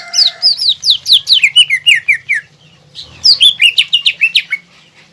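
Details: Energetic green leafbird song with mimicry, used to provoke a rival leafbird into an emotional response. Two rapid runs of clear, high, descending slurred notes, about ten per phrase, with a short break between them.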